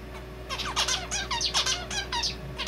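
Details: Male zebra finch singing a song that borrows red avadavat calls: a fast run of cheeping 'piyo-piyo' notes, bright and harmonic, some sliding downward, packed closely over under three seconds.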